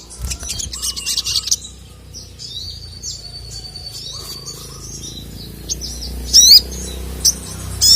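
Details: Sogon, female calling to a male that answers angrily; scattered high chirps open the clip, then a quiet stretch of faint lower warbles, ending in a few loud, sharp rising notes.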